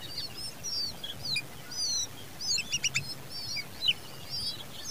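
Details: Common babbler young fed by the mother, crying: many short high chirps and slurred squeaky notes overlapping throughout, a few sharper clicky bursts midway, over a low background hum.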